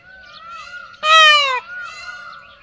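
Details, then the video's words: A peacock gives one loud, nasal, half-second wail that falls slightly in pitch, with fainter wavering calls in the background and another loud call beginning at the end. "peacock call"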